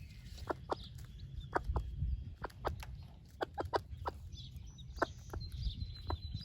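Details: Broody hen, a splash laced red Wyandotte, sharing her breakfast with chicks: clipped clucks in irregular bursts, some paired, with faint high chick peeps drawn out near the end over low background noise.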